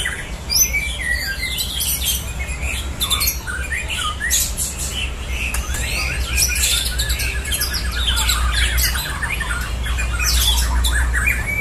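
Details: White-rumped shama (murai batu) contest birds in a simulated song duel for training mental toughness; long busy stream of varied whistled notes, sweeps and chattering trills, roughly two per second, over a persistent low hum.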